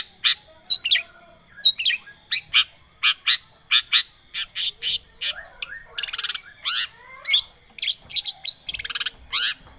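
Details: Long-tailed shrike lure song mixing harsh rasping notes, buzzy trills and whistled slurs in a fast, varied, nearly continuous stream.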